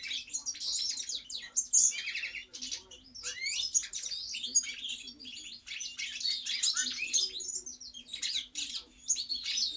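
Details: European goldfinch song: a long, continuous run of bright, liquid twittering notes and quick trills, high-pitched and rapidly varied, over a faint steady low hum.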